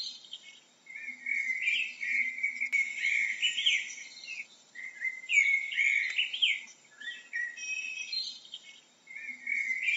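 A blackbird sings a run of varied, warbling, fluty phrases with brief pauses between them, over a faint low hum.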